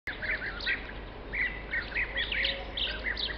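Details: European bee-eaters in the treetops of tall trees at La Rocina/Acebrón, Doñana National Park, Spain, on 31 March 2011, give short, rolling, liquid calls, several birds overlapping in quick bursts around one to two per second, over low hum.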